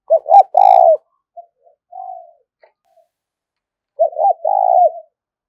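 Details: Spotted dove, a lure call for trapping: a loud doubled note and long coo, a softer trailing coo, then the full three-part phrase repeated about four seconds later.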